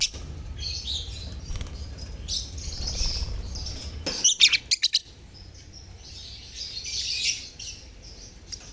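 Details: A lovebird colony, played to prompt silent lovebirds to sing, chatters in dense high squeaky chirps that overlap continuously, with a burst of sharp clicks midway and then quieter chatter, over a low steady hum.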